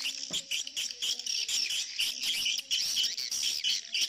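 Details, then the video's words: Edible-nest swiftlets in a mixed colony and mating call lure: loud, high, rasping chirps in quick, uneven bursts, several per second, with a brief faint voice near the start. "sp koloni walet birahi"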